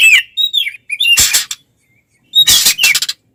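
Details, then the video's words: Oriental magpie-robin fighting song intended to provoke other magpie-robins: a few sliding whistles and warbles broken by two loud harsh scratchy bursts, with a quiet gap between. "SUARA BURUNG kacer gacor TARUNG konslet ini paling AMPUH buat PANCINGAN KACER agar EMOSI"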